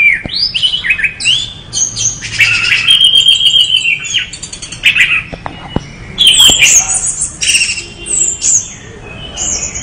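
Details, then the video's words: Energetic song of an orange-headed thrush: rapid, varied high whistles, rising and falling slurs and stuttering trills, strung together in quick bursts with brief gaps. "anis merah gacor"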